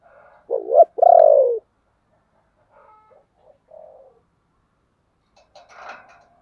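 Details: ['Decoy spotted dove calling to lure wild doves: a dipping coo and a long throbbing falling coo, then scattered faint coos and a brief rustling noise.']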